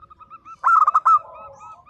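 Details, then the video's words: Lively local zebra dove gives a style sung to prompt silent birds to reply: one loud, stuttering, bubbling coo phrase of quick broken notes, framed by faint, even cooing from other doves. "perkutut lokal gacor _suara nembak perkutut lokal bisu_ 100% LANGSUNG NYAUT"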